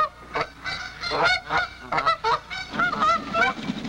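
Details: Canada geese at a staging area in early May, before flocks fly north to Hudson Bay; a fast, uneven run of short, clipped honks overlaps, as several birds call close together through the whole clip.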